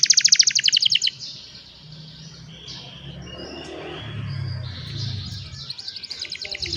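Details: Young canaries singing to train other canaries: rapid buzzy trills high in pitch open the phrase, a softer warbling passage follows, then another fast rolling trill, with low background hum throughout.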